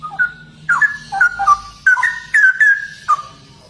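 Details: Loud, fluty song of a Straw-headed bulbul, 'gacor' style, with clustered gurgling whistles sliding up and down, roughly six bright phrases in under four seconds, low hum in the background.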